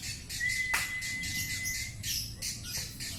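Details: Lovebird konslet song, delivered as rapid bursts of harsh squawks and chattering high chirps, with a steady thin whistle-like tone in the background.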